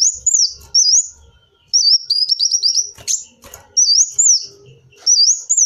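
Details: High-pitched kolibri wulung sunbird, a lure recording: sharp wavy slurred notes in short bursts, then a run of rapid ticking notes near two seconds, with brief rustling clicks in between.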